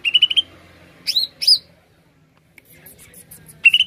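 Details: Greater green leafbird lure song: a quick rattle of clipped whistled notes, two loud upward-swooping whistles, then near silence before a final short burst.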